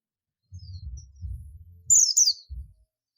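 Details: Buxtoni Oriental white-eye calling to its companions (ngalas): one burst of two sharp, high, downward-sliding chirps near the middle, preceded by low rumbling bumps.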